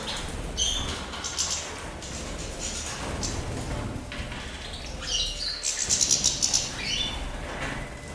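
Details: European goldfinches, described as Mayor goldfinches, enjoying the water while bathing on 23 November 2016; bursts of wing flapping and splashing with a few short, high chirps, including a rapid cluster of thin tweets near the sixth second.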